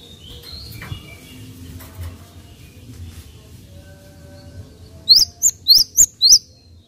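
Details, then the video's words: After a stretch of low rumbling background, a Java sparrow, used to stimulate others of its kind, gives five sharp, upswept chirps in quick succession. "AMPUH MERANGSANG BUNYI GELATIK"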